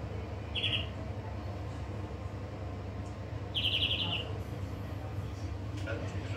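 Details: European greenfinch giving two short, buzzy, pulsed phrases, the second longer, separated by about three seconds of quiet, with a strong low hum throughout.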